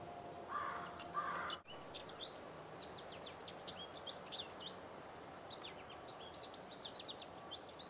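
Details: Purple Finch singing on an early spring walk, March 2010: a fast, tumbling run of bright, high warbled notes. Two harsh, crow-like caws open the recording over steady background hiss.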